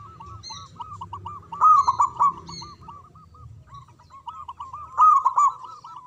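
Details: Local zebra dove with a big voice: continuous rolling, curved coos, swelling into two louder throaty bursts, with a few faint high bird chirps over the top.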